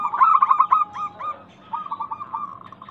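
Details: Local zebra dove lure song from Indonesia: a quick string of bright cooing notes, a short lull, then a softer, faster rolling run of coos.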